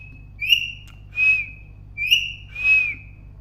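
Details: Parrot whistling twice: each phrase is a bright level whistle with a breathy rasp in the middle, about one second apart.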